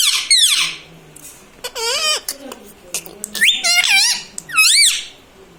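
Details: ['Talking pet parrot indoors: a string of high, wavering, speech-like syllables, each bending up and down, given in quick bursts with short gaps and faint clicks between them.']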